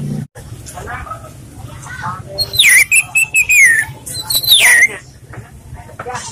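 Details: An orange-headed thrush sings relaxed lure song: a string of clear whistled notes, some sliding downward, delivered in a fast run of about a second, then a second slurred phrase, with soft chatter and speech behind.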